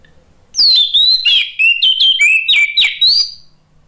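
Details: An orange-headed thrush sings as a lure to prompt other birds to sing along: a continuous, loud run of quick, slurred whistled notes, falling and rising, delivered in about three seconds of rapid phrasing.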